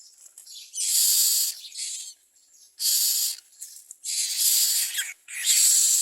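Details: Common myna chicks being fed by adults carrying food, uttering rough hissing rasps in irregular overlapping bursts, some longer and louder, with quieter wheezy notes between.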